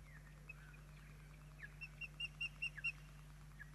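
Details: Osprey chicks with their parents at a nest in Poole Harbour on 8 June 2024, calling during an evening feed: a run of short, sharp, high chirps, about six in quick succession, over a steady low hum.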